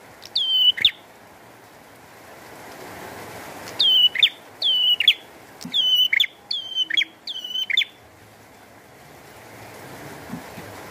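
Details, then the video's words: Bar-winged prinia in energetic song with rain falling: one high whistled note, a pause, then a quick run of five similar sliding notes with buzzy tails, over a constant soft rushing background. "Burung Prenjak Gacor"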